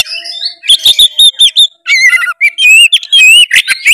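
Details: Oriental magpie-robin singing hard to find a rival, used as a lure for lazy birds; a dense stream of clear, steady whistles and quavering phrases with few breaks.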